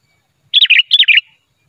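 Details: Sooty-headed bulbul singing, recorded as an unedited trapping lure: a single brief phrase of two paired, bubbly whistled notes, rich and liquid, then silence.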